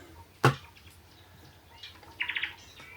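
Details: Red-billed spurfowl (Pternistis adspersus) at a bush camp on a Cape Town to Botswana route, around 4 pm, gives a brief burst of about five harsh, grating notes in quick succession after a sharp knock.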